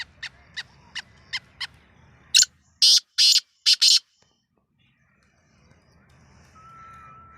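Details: Black francolin, or kala teetar, heard at the season's first try: short regular clicks lead into four loud, harsh, grating notes, then near silence and a faint thin whistle.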